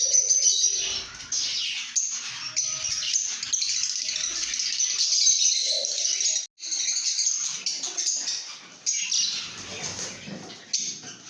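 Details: Lovebird chirping and singing: harsh, high-pitched twitters run in an irregular stream of quick notes, about three or four per second, broken by one brief silence midway. Faint low rustling is audible.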